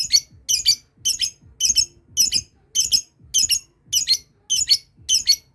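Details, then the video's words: Lovebird learning its long ngekek trill, other birds prompted to call on hearing it; shrill, rasping chirp bursts repeated steadily about twice a second, each a cluster of harsh high notes, with faint room noise. "Love bird belajar ngekek ,yang lain dengar langsung terpancing bunyi"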